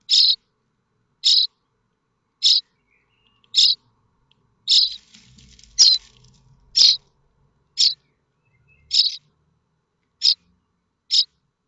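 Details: Common starling nestlings in the nest at Théding on 7 May 2024, waiting for a parent to bring food: short, harsh, high rasping calls repeated about once a second, eleven in all, with faint rustling between them.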